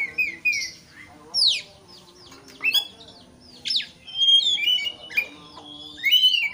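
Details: White-rumped shama song used to provoke a rival into singing; varied whistled phrases, downslurs and sharp upswept notes in bursts separated by short pauses.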